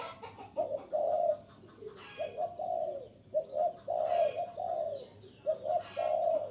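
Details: Lure call of a spotted dove for drawing in wild birds: soft, hollow coos grouped as quick paired notes followed by a longer sliding coo, phrases recurring steadily, with occasional rustling bursts.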